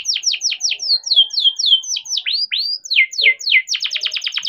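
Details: Young captive-bred canary in rolling lure song for stalled or young canaries; a steady series of down-slurred whistled notes, then two upward swoops, more falling notes and a quick closing trill of sharp repeated notes.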